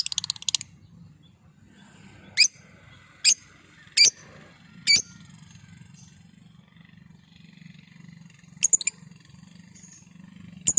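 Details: Lovebird lure call used to provoke other lovebirds: sharp, shrill, high-pitched chirps in short bursts, a few doubled, spaced irregularly about one second apart, over a steady low hum.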